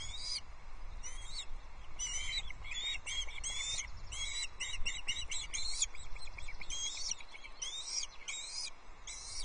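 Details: Irregular bursts of shrill chirping notes at an osprey nest on Loch Arkaig in June 2024, the male arriving with a small trout for the chicks; calls come in uneven clusters over steady low background noise.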